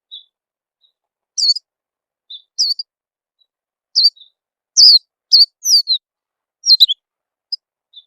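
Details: White-eye lure call used to get birds singing quickly: a loose series of high, thin chirps, each sliding downward, spaced irregularly with quiet single notes between them. No other sounds.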